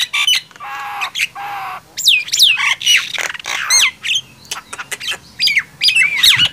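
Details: Nias hill myna and black-winged myna in a loud singing contest: harsh squawks, buzzy noisy bands and sharp whistled swoops that rise and fall, in bursts separated by short pauses.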